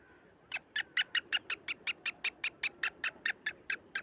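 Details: Black francolin recorded in Sindh, Pakistan: after a brief quiet start, a regular run of harsh, rasping notes follows at about four per second, holding an even rhythm to the end.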